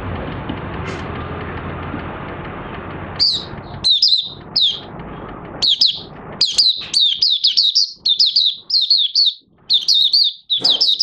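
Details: Mata puteh raja, the Oriental white-eye, opening its song on 30 August 2022 with new white feathers nearly pigmented; loud hiss for three seconds, then quickening runs of high, bright chirping notes, almost continuous toward the end.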